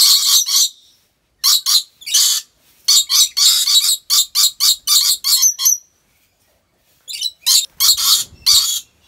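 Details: Captive rainbow lorikeet, Aceh Besar, Indonesia, pouring out fast series of grating, buzzy squawks, about a dozen in a row, then a pause and another rapid run.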